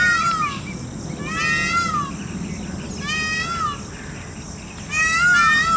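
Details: Four harsh, mewing cries from a peacock during its dance display, each a descending, strongly harmonic wail under a second long, spaced one to two seconds apart over a soft, steady background hiss.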